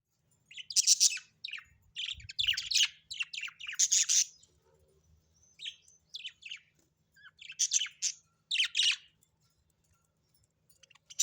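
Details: Pet budgerigars at home giving a busy run of high, scratchy chirps and warbles in bursts, with short pauses between clusters of notes.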